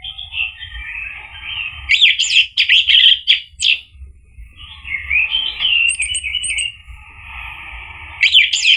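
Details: Orange-headed thrush singing for a lure to prompt singing: long whistled warbles, dense bursts of scratchy, high mimicking notes, a steady low hum underneath, and repeated thin high pips.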